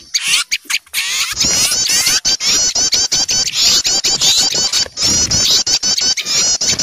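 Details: Small birds raising a noisy alarm, frightened at the sight of an owl, used as a lure recording; dense overlapping high chattering and rapid squeaky notes, with clicking bursts and short pauses throughout.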